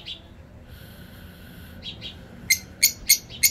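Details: African parakeet singing: after a quiet stretch with faint chirps, four harsh shrill squawks follow each other at roughly quarter-second intervals over a low background hum.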